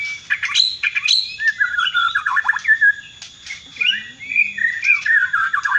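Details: Bornean white-rumped shama singing: a loud, rich, varied stream of whistled notes, warbles and quick trills, shifting pitch constantly with fluty phrases and sharp accents, plus a faint lower chatter partway through.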